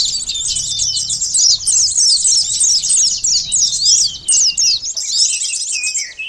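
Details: High, hurried sunbird twittering used to attract birds: sharp chirps in quick succession, fading toward the end into a lower slurred note.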